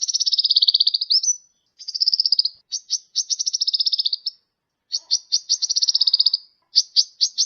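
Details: High, thin sunbird song used for training songbirds: long rattling trills that dip slightly in pitch, separated by brief gaps, with short chirp runs between.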